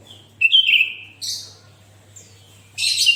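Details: Sooty-headed bulbul singing energetically, used to prompt other bulbuls to sing: a clear whistled note sliding gently downward, then a burst of bright, rough high chirps, a pause, and another loud scratchy high burst.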